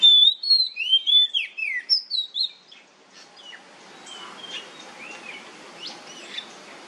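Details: Oriental magpie-robin song used as a lure to make other magpie-robins sing: a rapid run of bright, varied whistled phrases and slurred notes for under three seconds, then scattered faint chirps over quiet hiss.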